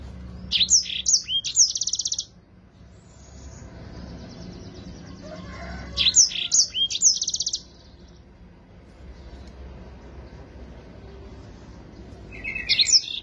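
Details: Lively yellow-fronted canary with a clean, clear song used to train other birds: short bursts of high twittering whistles and buzzy trills come about every five to six seconds, separated by quiet gaps with faint background hum.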